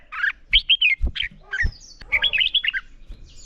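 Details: Red-whiskered bulbul fighting song (hót đấu) in the morning: short whistled, warbling notes in quick bursts, with a thin high slurred note and a few dull low thumps between phrases.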